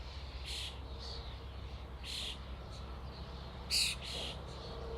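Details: A flock of common starlings: scattered harsh, broadband chattering bursts, one sharp louder squawk near the end, over a steady low background rumble.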